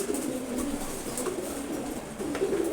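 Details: One-month-old Maxi Racer pigeon chick, able to fly well, giving soft, low, wavering coos in short phrases over steady background hiss.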